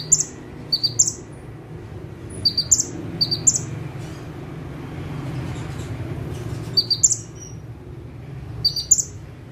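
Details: Bar-winged prinia in full burst song while sitting in one place. Sharp high notes are followed by ringing upward whistles in clusters, with a quieter stretch midway. A low droning noise continues throughout.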